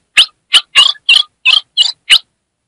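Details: A female ultramarine grosbeak from northeastern Brazil calls to excite a male, giving seven harsh, hissing chip notes in quick succession, about three per second, high and raspy, with nothing else heard.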